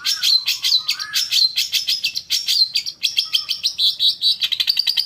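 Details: Long-tailed shrike song as a stimulus to provoke a caged bird to sing: a dense, fast chatter of high scratchy notes and squeaky warbles, with a brief low whistle near the start, continuing almost without pause.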